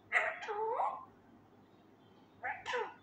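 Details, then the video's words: Male Indian ringneck parakeet learning words, with phrases such as "kia bol rha ho," "kia howa" and "Mithu," speaks a short rising-and-falling voice-like phrase, then a brief second utterance after a pause. "MY Talking Raw Male parrot try to learn words loudly (kia bol rha ho me,kia howa,kia hogaya,Mithu he"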